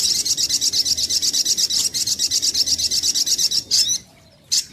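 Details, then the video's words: A lure recording of brown-throated sunbird (sogok ontong). A long, steady, very high, rapid chattering trill ends in a brief twitter, a pause, and a final sharp note. "SUARA PIKAT mp3 BURUNG SOGOK ONTONG PALING TOKCER"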